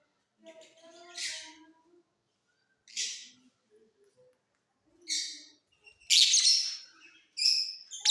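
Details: Mutation lovebirds in a flying cage, singing during the off season, give harsh, buzzy high chirps in bursts about every one to two seconds, with softer low chattering notes in between.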